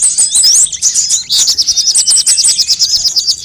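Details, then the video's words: Various sunbirds in a lure recording meant to attract birds and make them sing quickly: a fast rising whistle, then an extended run of evenly repeated high chips, several birds overlapping. "suara pikat semua jenis burung kolibri"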